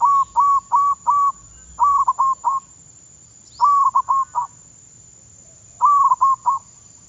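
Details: Zebra dove decoy bird in training, Thailand: four evenly spaced level coos open the clip, then three clusters of rapid coos, each a long note followed by quick short ones, separated by pauses.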